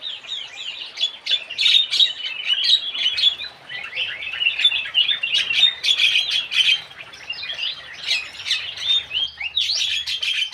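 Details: Javan cochoa: a dense, continuous run of chattering and squeaky notes, with short whistled slurs overlapping through the whole stretch, as if several birds call at once.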